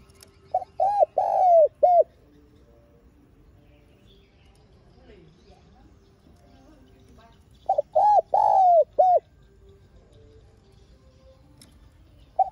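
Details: Spotted dove giving lure coos meant to make other doves call. Two phrases of five or six hollow notes, each with one drawn-out coo, are separated by about five seconds of near silence. A single coo comes at the end.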